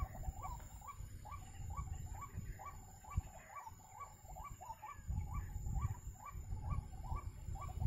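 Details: White-breasted waterhen, known locally as ruak-ruak, wak-wak, baburak or kreo padi, recorded around bird trapping: a steady run of short, hoarse, mid-pitched notes repeated about twice a second over a low rumble and a thin, constant high whine.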